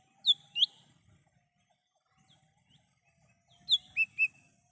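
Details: In the wild, a lesser green leafbird gives two sharp whistled notes, a pause with a faint low whistle in the background, then three more clear whistles; recorded as a lure and call for trapping.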